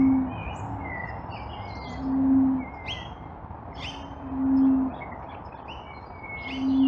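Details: Common bronzewing recorded on a cell phone in Blackiston, South Australia, on 24 November 2020, with a 1000 Hz low-pass filter: a deep, low, mournful 'oom' about every two seconds, with higher twittering from other birds behind.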